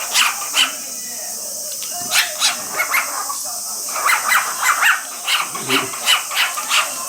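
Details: Cockatiel male keeps up a string of quick, sharp chirps while the female bathes under a water spray. Calls come in irregular bursts, faster toward the end, with a steady spray-like hiss throughout.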